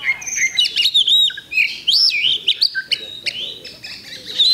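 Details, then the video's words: Oriental magpie-robin singing in a bird contest on Thursday, 8 October 2020. Clear, fluty whistles loop up and down between quick sharp chips, in short lively phrases. "Kacer Bagong Ngunci Mulai Semi"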